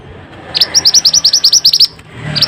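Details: A mantenan training recording (masteran): a rapid run of about thirteen clear, high, upslurred notes, followed by the start of another phrase.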